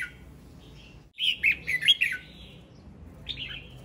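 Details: Male red-whiskered bulbul in song, a lively run of loud, rolling whistled notes after a brief silence, then a softer short phrase near the end, against a quiet background.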